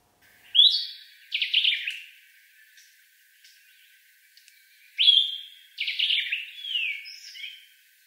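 Sombre Greenbul song: a sharp whistled note followed by a hurried, bubbling chatter. The phrase comes twice, about four seconds apart, with no other sounds.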